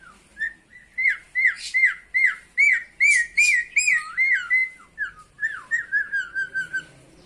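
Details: Kept myna giving a greeting, a series of about a dozen loud whistled notes, each a quick rising-then-falling slur repeated roughly every half second, with a few harsher squawks; a person then says "selamat pagi" in a small room.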